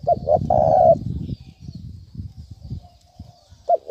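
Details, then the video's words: Spotted dove coo used as a lure for trapping: a short double note and one longer low coo, followed by low rumbling background noise, then another coo starting at the end. "Tiếng chim cu gáy thúc bổi dùng kích mồi rất hiệu quả"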